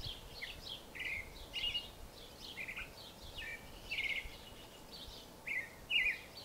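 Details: Creamy-bellied thrush singing: short sweet phrases, some slurred downward, repeated every second or so at a soft level over a steady hiss of background noise.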